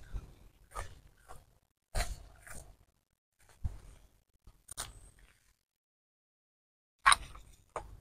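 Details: Only scattered handling noises are heard, with rustles, soft thumps and sharp clicks separated by quiet gaps, and no clear animal voice.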